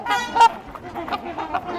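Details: Flock of tagged, curious trumpeter swans wintering at LaSalle Park, Burlington, Ontario, March 2021, giving nasal, horn-like honks, several overlapping in quick succession with a louder blast near the start.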